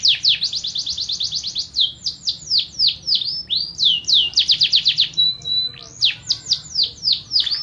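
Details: Varied canary song. Dense rapid rolls alternate with slower descending swoops, and one short, pure steady whistle appears before the swooping notes resume.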